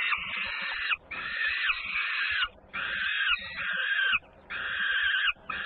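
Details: Peregrine falcons at a nest in Włocławek, Poland, on 3 June 2010, two feedings under way as a sister bird arrives home very noisily; loud, harsh, raspy screeches about a second long come in five bursts, broken by brief pauses.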